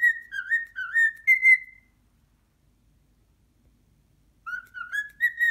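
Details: Indoor pet cockatiel, fearful of a muscat grape offered for the first time, whistles four quick wavering notes, falls silent for over two seconds, then starts another rising whistled run.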